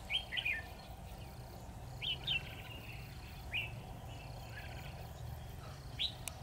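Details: Red-whiskered bulbul decoy singing in a trap to lure wild birds: short whistled, warbling phrases repeated about every two seconds, rising and falling, over a soft low background hum.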